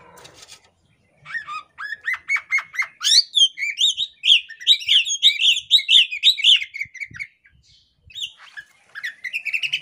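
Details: A female Oriental magpie-robin in breeding condition chatters with her tail spread, a call meant to make males join in: quick rising whistles, about four a second, running into bright, varied chattering phrases.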